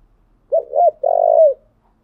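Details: Spotted dove decoy song used to stir up newly caught birds in training: two quick hooked coos followed by a long, loud, slightly buzzy coo that falls away at the end.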